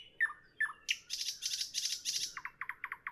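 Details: Nightingale evening song: two slurred whistles, a thick buzzy churring rattle, then a rapid series of short, sharp repeated notes, over a soft noisy background.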